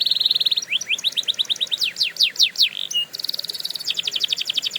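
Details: Canary singing for training: a fast level trill, then a run of rising and falling whistled notes, a short pause, and a dense rapid high trill.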